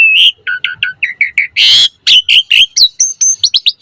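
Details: Asian pied starling singing 'mompa' variations as a tutor and lure for starlings: choppy chattering notes about twice a second, one loud harsh rasp in the middle, then quick whistled slurs.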